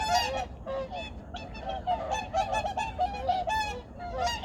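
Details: Dense, overlapping nasal honking from many migratory birds at Junam Reservoir in Changwon, South Korea, early morning, 2019. Short honks pile up without pause over a low, constant background rumble.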